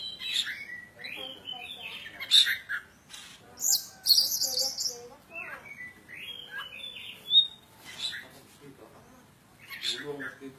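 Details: Oriental magpie-robin of Javan kacer poci stock singing tirelessly, pouring out sweet whistled slurs, rising and falling notes, and loud harsh buzzy bursts, with faint voices in the background.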